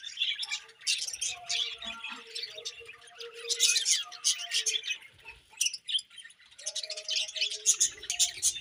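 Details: Several budgerigars during morning feeding, keeping up lively high-pitched chatter of buzzy chirps and squeaks, rising and falling in loudness.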